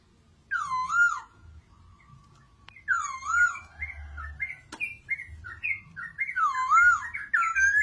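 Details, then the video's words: Masked laughingthrush, a kept songbird, singing rich, looping whistled phrases that wobble up and down, given in bursts separated by brief pauses, with a faint low hum underneath. "BURUNG POKSAY MANDARIN"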